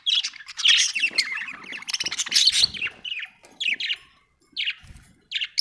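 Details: Budgerigar chirps in a lively chattering sequence, warbled buzzy notes tumbling together, then spaced single chirps toward the end.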